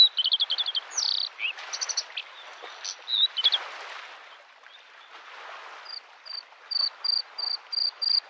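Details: Bluethroat in spring near a lake: a fast mimicking jumble of clicks, squeaks and sharp notes, a pause with waves, then a regular series of high ringing double notes.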